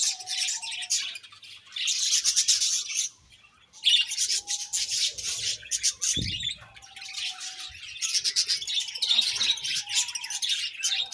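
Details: Several budgerigars chirping in busy bursts of harsh, rasping chatter mixed with thin warbling tones, separated by short lulls and a single dull knock midway.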